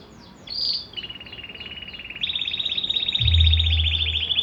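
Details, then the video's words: Belgian canary, called a true Belgian canary, singing: a high whistled opening phrase, then a long rapid rolling trill of evenly repeated notes that steps up in pitch midway, with a low hum near the end. "CANÁRIO DO REINO CANTANDO"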